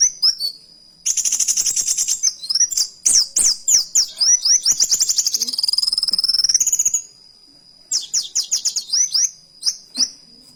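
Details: Kolibri wulung in full song mimicking a canary: a long, rapid run of sharp chirps and rattled trills lasting several seconds, then a pause and a fresh burst of quick twittering notes, with a constant high whine behind.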